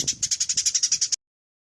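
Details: Short burst of Eurasian tree sparrow chattering, for tutoring songbirds such as murai and cendet: around a dozen crisp, high chips in quick, even succession lasting just over a second, then silence.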